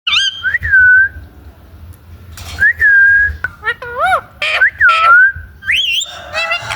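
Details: Parrot giving clear whistled calls, each swooping up then gliding down, with some short wavering notes, in irregular bursts separated by brief pauses over a low background hum.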